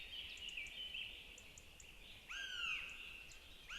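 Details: Northern goshawk nest in Zemgale, Latvia, where the mother feeds two chicks. A level, thin whistle is followed by loud, drawn-out squeals that slide downward, with faint high ticking notes.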